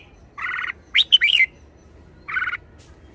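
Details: Red-whiskered bulbul gives a harsh rasping buzz, a quick phrase of slurred whistles, then another rasp.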